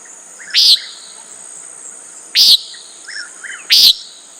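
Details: Loud, buzzy peent calls from a common nighthawk, three in quick succession with uneven gaps, over a steady background of shrill insects.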